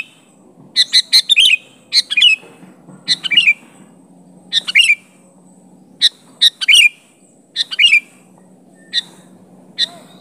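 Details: Gacor sooty-headed bulbul challenging an opponent: clusters of sharp chirps ending in bubbly downslurred notes, delivered in irregular bursts roughly every second, some single clipped notes between, faint low rumble behind.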